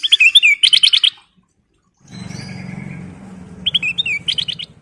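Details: Sooty-headed bulbul singing vigorously as a lure: a fast train of sharp, repeated chirps, a pause, a low rumbling noise, then a fresh burst of bright chirping notes.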